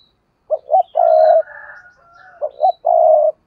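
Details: Decoy spotted dove cooing hard in the intense 'thúc gù căng lửa' style: two short throbbing notes, then a long, steady, low hoarse coo. The phrase is given twice, with a softer trailing coo between the two.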